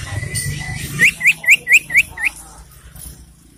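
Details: Common iora singing in the morning: a held thin whistle, then six short rising whistled notes given quickly, about four each second, over a faint low rumble.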